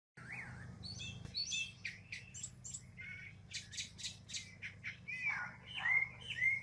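A Northern mockingbird sings a varied run of chirps, squawky notes and whistled slurs, switching phrases every second or so over a low steady hum.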